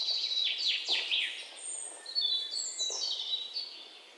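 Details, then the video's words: Birds chirp with sharp downward-sliding notes early on, followed by long, clear, high whistles that step down in pitch, with other faint twitters behind. "bird chirping sound"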